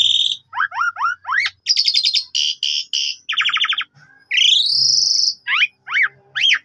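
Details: Lure song of an Asian pied starling meant to get other birds singing: rising chirps, rattling trills, a long upward-sweeping whistle and sharp separate notes.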